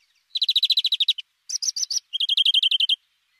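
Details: European greenfinch sings three linked trills: a rapid even run, a short group of higher, spaced notes, and a final bright trill slightly lower in pitch.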